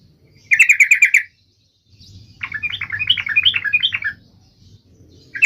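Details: Yellow-vented bulbul song meant to get other bulbuls singing: a fast burst of about seven clipped, ringing notes, silence, then a lilting, rising-and-falling warbled phrase above a low background hum.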